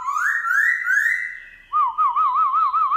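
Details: Morning song of a wild-caught caged black-throated laughingthrush in forest-voice style: a long, bright whistle rising and sliding, then a quick wavering trill repeated steadily.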